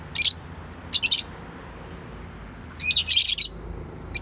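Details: Household pet bird giving quick clusters of shrill, high twittering chirps, two short bursts early, a longer jumbled burst near the middle, then a single final chirp, with silent pauses between.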